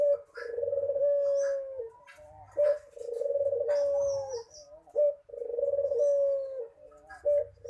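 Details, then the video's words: Manggung-style cooing from a puter, or ringneck dove: three drawn-out low coos, each opening with a brief stressed note and falling away at its close, spaced about two and a half seconds apart. Faint twittering from other birds is heard behind. "Suara Burung Puter Manggung"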